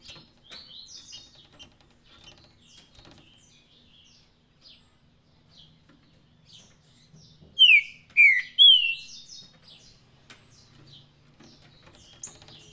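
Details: Green-winged saltator in Paraná song style: after a stretch of soft scattered chirps and clicks, three loud descending whistles come in quick succession, followed again by faint twittering.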